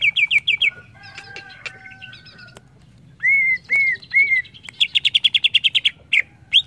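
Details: Greater green leafbird singing, recording meant as training audio for young cage birds: quick chirps, soft rattled notes, three loud arched whistles, then a rapid run of high repeated chips and a final upslurred note.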